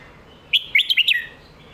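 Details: Singing red-whiskered bulbul, popular 'phat kuaitiao' or 'mae bot' phrase: a short, cheerful burst of five bright, looping whistled notes over faint background hiss.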